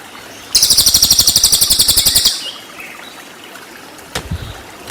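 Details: Cililin singing a 'tembakan' burst for training white-rumped shamas: a single fast, high-pitched rattling trill of about twenty even pulses lasting under two seconds, then near quiet with one brief click.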